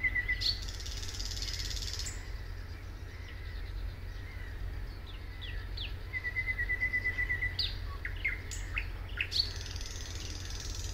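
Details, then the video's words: Thrush nightingale song recorded at Suomenoja in 2022: sparse varied notes, then a fast even rattle of repeated piping notes, followed by sharp clicks and slurred whistles over a constant low background rumble. "Thrush Nightingale"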